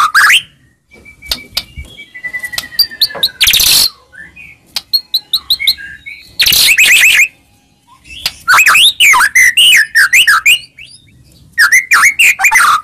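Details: White-rumped shama (murai batu) song used as a lure to provoke a bird into answering at once: varied whistled notes and chirps, short high bursts near four and seven seconds, then rapid rising-and-falling warbled phrases with brief pauses.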